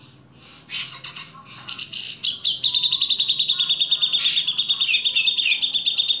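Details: Grey-cheeked bulbul master song: scattered harsh chips and bursts open, then a sustained fast high trill with a few downward-slurred whistles mixed in.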